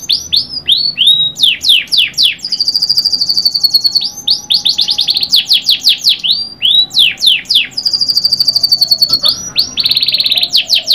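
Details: Canary in long, lively song: fast series of downward-swept notes alternating with bright, steady trills and rolling high phrases, loud and continuous with brief gaps.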